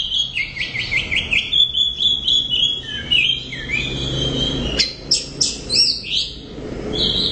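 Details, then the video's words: Loud Orange-headed thrush song starting with a quick series of repeated rising notes about four per second, followed by varied whistled phrases and sharp high chips. "ANIS Merah Gacor Volume Keras Teler Mantap"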